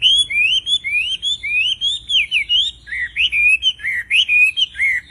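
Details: Wambi bird singing a lively, melodious song: a steady run of clear whistled phrases, each sliding up and down, delivered in quick succession with short gaps, over a quiet background.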